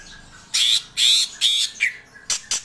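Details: Greater green leafbird calling: four harsh, rasping squawk-like notes, each about a quarter second long, followed by two short sharp chips, over a quiet background.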